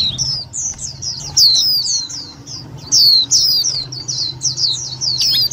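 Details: Lure recording of white-eye calls for trapping and exciting other white-eyes: a dense stream of high, sharp descending tweets in overlapping bursts, growing louder around the middle, with a faint low hum beneath.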